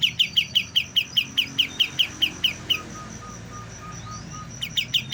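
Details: Young white-eye learning to sing gives a quick run of high, sharp chirps for under three seconds, then falls quiet while a thin faint whistle sounds, before resuming the chirps briefly at the end.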